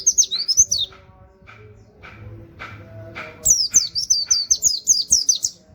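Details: Oriental white-eye 'nembak' song with canary-like 'wit wit' phrases, a master recording for songbird training. A short high whistled burst, a lull with soft clicks and low hum, then a long rapid run of shrill notes.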